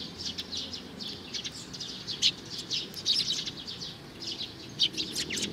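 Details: High-pitched chirping from a young sparrow, short bright notes tumbling in uneven bunches with a few louder peaks, over quiet low background noise.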